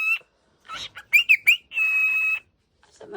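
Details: Waking cockatiel gives scratchy chatter, three sharp rising chirps and a long, even, buzzy screech, then a soft low note at the end.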